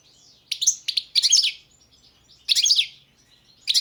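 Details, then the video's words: Goldfinch of subspecies balcanica giving a few harsh, buzzy, chattering bursts with short gaps between them. "Pesma štiglića, češljugara , grdelina, lokera carduelis balcanica"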